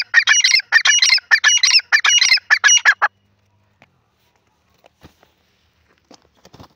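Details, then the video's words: Francolin calling in a rapid rhythmic sequence of harsh, grating double phrases for three seconds, followed by near silence with a few soft ticks. "Teetar ki awaaz part 18"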